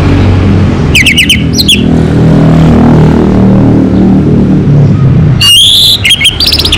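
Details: Two short outbursts from a local orange-headed thrush (Anis Merah): quick twittering whistles, the second phrase richer and more rapid, separated by several seconds of low engine rumble.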